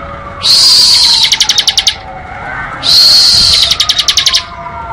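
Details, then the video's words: Ngebren song from a bar-winged prinia: a buzzy drawn-out high note breaking into a rapid string of clipped chirps, repeated twice about two and a half seconds apart. "Suara Burung Ciblek Ngebren"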